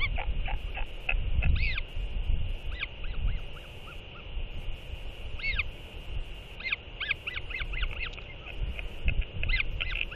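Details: Two northern royal albatross chicks, TF (77 days) and TFT (69 days), skycall one another after a parent's feeding: repeated honking, wheezy cries rising and falling in bursts, over steady wind rumble.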